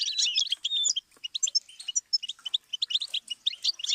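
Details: Goldfinch singing as a teaching stimulus for songbirds. A quick jumble of bright, high chirps and tinkling notes opens with a whistled slur, then breaks into a stream of short twittering bursts.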